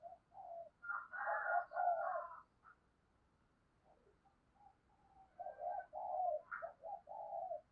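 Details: Spotted dove kept as a decoy, urging and cooing to bring in wild doves: a fuller, doubled burst of coos with a higher overtone, a pause, then a run of soft low coos.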